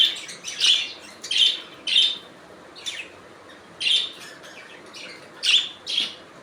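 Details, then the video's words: Budgies making repeated bright, slightly squeaky chirps in short bursts, roughly one every second, with soft chatter in between. "Budgies Natural Sound"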